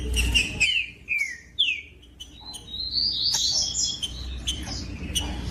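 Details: Green-winged saltator in song, meant to stimulate other saltators: a few separate downward-slurred whistles, then a sustained high rising whistle, with clicks, other bird chirps and low hum around.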